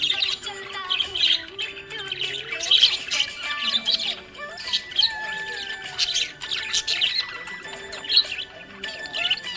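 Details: Budgerigar chattering happily, a busy stream of buzzy chirps, squawky notes and short whistles that swells and fades every second or so, with music playing softly underneath.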